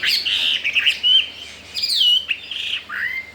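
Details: Chinese hwamei, wild-caught, newly arrived and unafraid of other birds; a few drawn-out, loud whistled phrases that swoop downward, separated by short pauses.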